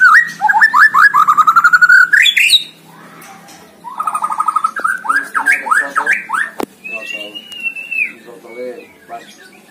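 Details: Competition recording of a White-rumped shama singing: a loud burst of quick repeated whistles rising to a shrill peak, a pause, then rapid slurred notes, a sharp click and a level drawn-out whistle.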